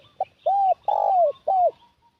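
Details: Spotted dove decoy used to attract wild doves, one clear phrase of three strong arched coos, the middle one longest, after a brief short note.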